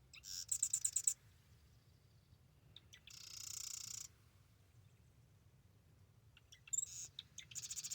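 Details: Marsh wren at the Arcata Marsh bird sanctuary in the morning, giving three quick bursts of song, each a dry, buzzy rattle of rapid high notes, over a low steady rumble in the background.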